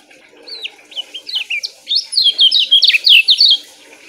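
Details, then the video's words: Lemon-bellied white-eye song played for training caged birds, dense and short yet loud; begins with a few spaced high whistled notes, then builds into a rapid cluster of sharp, twisting slurs before stopping. "TERAPI BURUNG KECIAL KUNING"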